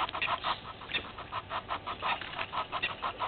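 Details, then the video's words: Morning at a South African waterhole, Djuma Game Reserve, 20 March 2021: a red-billed hornbill looking for a meal repeats hollow clucking notes about four times a second in an even rhythm. "Red-billed Hornbill looking for a meal"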